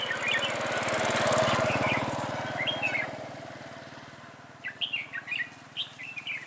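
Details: Decoy red-whiskered bulbul singing during a trapping attempt on 11/12/2016: loud rushing engine noise for the first three seconds, then a string of clear chirpy whistled phrases that rise and fall.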